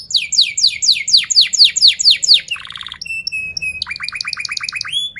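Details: Singing canary, played so young birds learn to sing: fast rolling trill of downslurred notes, a low buzzy burst, a steady high whistled tone, then quick falling chirps and a rising whistle.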